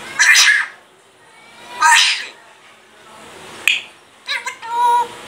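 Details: Grey parrot that talks and coughs, giving harsh breathy bursts like coughs or sneezes, two strong ones about a second and a half apart, then a click and a quick stuttering cluster ending in a short tonal note.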